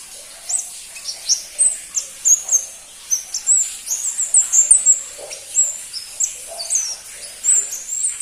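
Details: ['Pentis pelangi, the crimson-breasted flowerpecker, utters a steady stream of very high, sharp, squeaky notes, each brief and slurred, spaced irregularly about two or three per second.']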